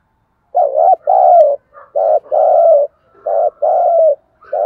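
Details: A spotted dove coos in a quiet setting, sound meant to prompt captive birds to coo: deep, husky two-part phrases, short lead note then a longer wavering coo, given back to back.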